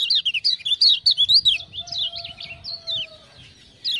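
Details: Kecial kuning (lemon-bellied white-eye) chattering loudly after ciak-ciak prompting: a quick series of bright high notes about four per second, then slower sliding phrases over a low sustained whistle.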